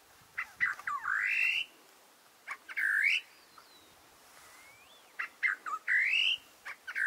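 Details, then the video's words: A great parrotbill gives three loud phrases of harsh, rising, slurred notes about two seconds apart, with fainter thin whistles between them. "Great Parrotbill"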